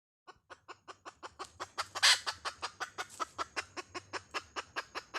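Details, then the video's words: Hen giving a long run of sharp, evenly spaced clucks, about four per second, building in loudness, with one harsh, loud squawk near the middle. "Suab poj qaib Dib tsauj"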